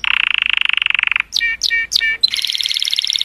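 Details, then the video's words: Colorful canary singing to stimulate females: a fast buzzy trill, then three loud slurred notes and a bright rapid rattling phrase. "Cheerful Color Canary Singing Joyously part 2 | تغريد كناري رائع، لتحفيز الإناث"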